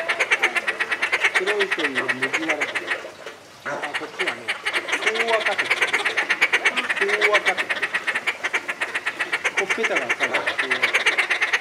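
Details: Inca terns at Tama Zoo, Japan, recorded July 2019, calling relentlessly: fast rasping chatter roughly three notes a second with a brief pause near four seconds, while low human voices murmur underneath.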